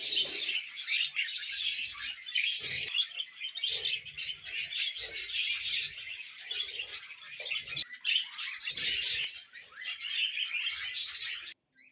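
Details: Pet budgerigars chattering continuously, a dense stream of high scratchy chirps and warbles with short pauses between bursts.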